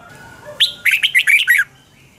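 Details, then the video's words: Morning training song from a red-whiskered bulbul with a double-twist voice, 2020: a rising whistled lead note followed by five rapid, loud, chopped warbles in a tight one-second run, then a thin trailing whistle. "Luyện chào mào hót sáng 2020 chào mào giọng xoắn kép"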